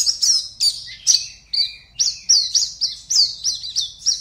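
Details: Caged Oriental white-eye, a West Kalimantan contest bird, giving a string of loud, high, downslurred chirps spaced about a quarter second apart, each clean and ringing.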